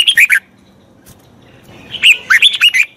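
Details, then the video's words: Red-whiskered bulbul, song used to train a wild-caught bird: a short whistled trio, a pause, then a bubbling run of five quick, rising and falling notes. "Tiếng chào mào luyện giọng chim bổi. นกปรอดหัวโขน"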